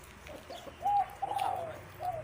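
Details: A dove kept for cooing gives three soft, hollow coos about half a second apart, the middle one longest, over a faint low hum, at a farm keeping six Burmese-cross fighting cocks.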